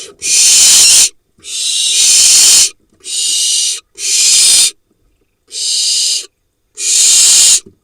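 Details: Nest box of barn owls in the Hula Valley, Israel, with nestlings hatched in June 2021, filmed as the father brings a vole; loud, noisy, snoring hisses come in separate bursts about a second long, with short silences between.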